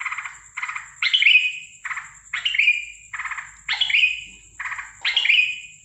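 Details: Sooty-headed bulbul giving a strange call at night, 13 December 2023: harsh, buzzy rasping bursts alternate with louder, sharper squawks that fall in pitch. Each phrase lasts under a second, with short gaps between. A steady high electronic whine runs throughout.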